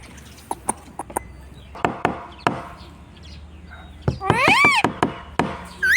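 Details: A pet Indian ringneck parakeet at home gives a quick burst of three harsh, arched squawks, then one more at the end, after several seconds of sharp knocking taps.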